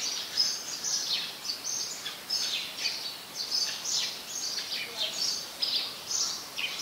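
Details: Steady chattering of high, sharp chirps from house sparrows, a very common resident species in Ubon Ratchathani, Thailand, recorded on 5 February 2020; the chirps come in quick uneven bursts against faint background hiss.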